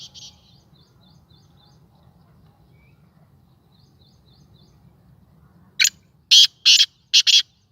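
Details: Captive Sindhi black francolin, a tame bird kept and fed by its owner, giving its first call. Faint high chirps from small birds come first, then a harsh, buzzy phrase of five grating bursts near the end.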